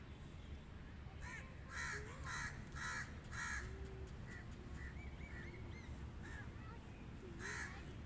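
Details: Crow cawing in a long irregular series of rough, grating caws, some spaced closely and others after short gaps, over a low steady hum with faint voices.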